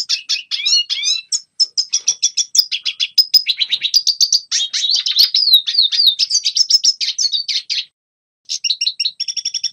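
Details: Young-bird training song from a red siskin: a lengthy rapid twitter of high clipped notes with warbling slurs in the middle, a near-silent gap late on, then a final burst of chirps.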